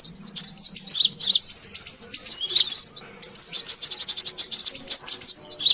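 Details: Noisy brown-throated sunbird calling, local name kolibri kelapa or sogon, played as a trapping lure: sustained very high chattering of quick slurred zigzag notes, barely pausing, with closely packed chirps throughout.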